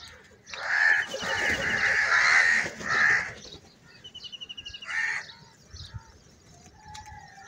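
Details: Crows in a large flock fighting over food: a long drawn-out harsh cawing followed by a shorter caw, with a rattling call and other birds in the background.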